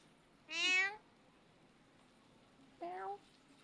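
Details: Parrot that speaks and imitates sounds, calling the cat: a strong meow-like call followed about two seconds later by a shorter, softer one.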